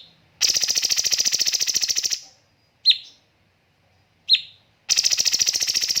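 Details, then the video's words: Cucak cungkok on a training master recording: a long rapid pulsed buzzy trill, two spaced sharp whistled notes, then another dense rattling burst begins. "BURUNG CUNGKOK MASTER SEMPURNA JEDA & RAPAT TEMBAKAN"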